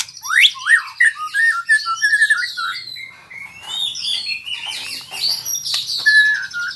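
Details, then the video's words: White-rumped shama practising rolling trills: a series of short whistled notes sliding up and down, then softer scratchy twitters and a final clear whistle. "Murai Super Belajar Kicau"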